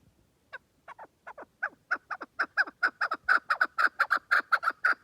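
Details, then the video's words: Chukar partridge calling: series of clucking notes starting slow and sparse, then speeding up into a steady loud rhythmic chuk-chuk run, about two per second. "keklik sesi—@bird land — chukar partridge—صوت الحجل— куропатка"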